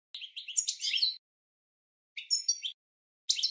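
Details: European goldfinch training song for cage birds: three short bursts of bright, twittering, tinkling phrases separated by silent gaps, without other sounds.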